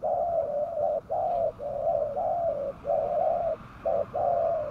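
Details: Spotted dove used as a lure for wild doves, giving a steady run of mellow, even coo notes, about eight in under five seconds, separated by brief gaps, over faint background hiss.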